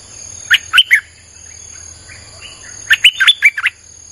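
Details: Streak-eared bulbul singing to attract wild birds: a three-note phrase, then after two seconds a longer bubbly run of six or seven quick chirps, over a faint steady whine.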